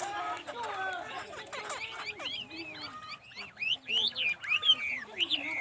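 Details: Laughingthrush singing varied whistled phrases that grow louder and higher toward the end, sliding and looping notes over a murmur of lower background sounds.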